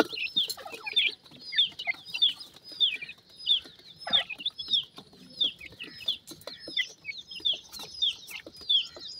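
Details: Several young black partridge chicks peep together. Their sharp, high downward-slurred notes overlap in quick clusters over dry clicks and scuffling.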